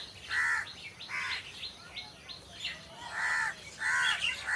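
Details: Crows perched in trees calling with hoarse, nasal caws about once a second, uneven spacing, while quick thin downward chirps from small birds fill the gaps.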